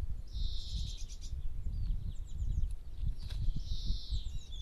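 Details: Eurasian tree sparrow at Dohr in the Eifel, Germany, giving two bursts of high, buzzy chirps with a few sharp notes between, over a steady low rumble of wind.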